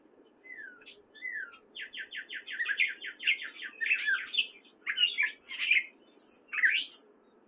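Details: Singing male gray catbird in spring, Fairfield, Iowa: starts with two slurred whistles, then a rapid rattle-like series of about ten repeated clicking notes, followed by squeaky, varied mimic-like phrases.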